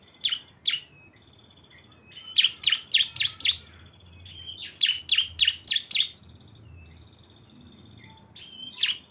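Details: Lure recording combining two cisem birds: a held high whistle runs under rapid bursts of five or six sharp descending chirps, then brief pauses and scattered single notes, with faint low background rumble.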